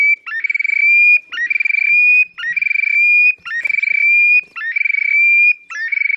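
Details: Displaying Terek sandpiper in the Oka Nature Reserve, Russia, late April 2019, singing six loud, almost unbroken phrases, each opening with a quick rising whistle, then a buzzy rapid trill over a bright sustained tone that lifts at its end.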